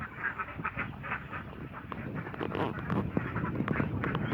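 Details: Many domestic ducks in Assam, India, quacking together in a dense, overlapping chorus of short nasal quacks, several each second, over a steady low rumble of background noise.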